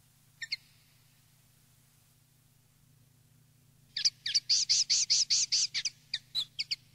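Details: Common linnet, field-style song meant for educating young linnets: two isolated chips, a quiet gap, then a dense burst of fast high twittering notes and a few looser chirps, faint hum beneath.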